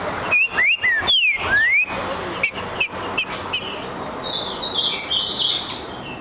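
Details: Green-winged saltator (Saltator similis), answering after being provoked, gives a quick burst of rich, slurred whistles rising and falling, followed by sharp clicks and high, thin twittering from another bird.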